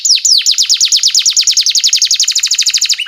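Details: Canary lure song for teaching young canaries, an unbroken high trill of about ten sharply descending whistled notes per second, steady and loud throughout.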